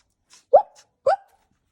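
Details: Pet galah (rose-breasted cockatoo), very vocal and missing tail feathers, gives two short, bright, rising squawks about half a second apart, with faint clicks before the first.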